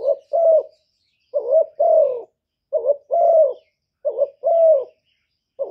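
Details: Decoy spotted dove in the gáy gù style used to excite other doves. Four husky phrases pair a short warbled note with a longer, downward-sliding coo, separated by short pauses. No background noise.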